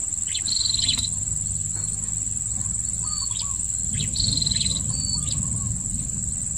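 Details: Blue-crowned hanging parrot at a new luring site, giving high squeaky chirps and level piping notes in two bursts, with faint lower twittering of other birds and a continuous high insect drone.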